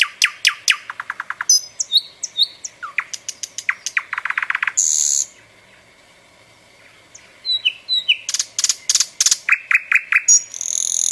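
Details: Summer nightingale song, rich and varied: fast bursts of repeated notes, descending whistles, dense buzzy rattles, a silent gap of about two seconds, then loud rapid note series and a high trill.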